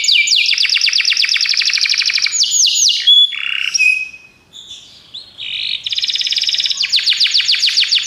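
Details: Belgian canary singing on a recording meant to train canaries, with dense rapid trills and falling slurred whistles, a quieter stretch of scattered chirps midway, then the fast repeated trilled phrases return.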